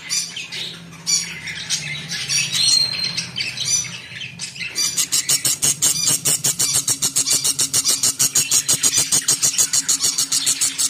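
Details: Budgerigar parents feed their chicks, which beg with rapid, rasping high chirps, repeated several times a second.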